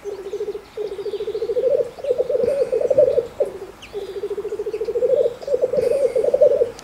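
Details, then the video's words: Male black grouse displaying at a lek in the Bavarian Forest, Germany: two long, low bubbling trills, each swelling in loudness over about two seconds, separated by short pauses, with faint higher bird notes behind. "Birkhahn (Lyrurus tetrix oder auch Tetrao tetrix) balzt im Bayerischen Wald"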